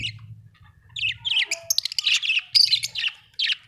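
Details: Rapid budgerigar warble of chirpy, buzzy notes rising into louder squeaky bursts, with a faint low hum in the background.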